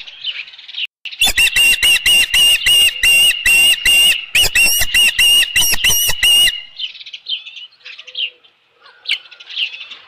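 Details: On 15 July 2018 in the evening, an osprey at its ranch nest with a headless fish gives a sustained five-second volley of sharp whistled chirps, then quieter, scattered calls.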